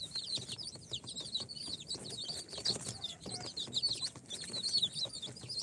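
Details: Many newly hatched chicks, four days out of the incubator, Sultan, Golden Sebright, Cochin and booted breeds, give dense overlapping high peeps, short rising-falling chirps in constant chatter, with faint scratching and rustling below.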